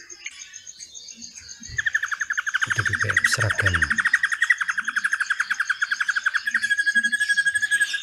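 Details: Drongo singing cililin-style fill for tutoring magpie-robins: a long, fast, steady trill of rapid repeated notes running for several seconds, layered with higher chirps, after a low thump and brief rattle.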